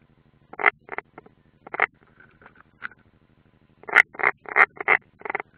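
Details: European rollers at a nest, Ādaži training ground, Latvia, 30 June 2016, one unringed: quieter rough croaking notes spaced irregularly, a denser cluster near the end, over a steady low electrical hum.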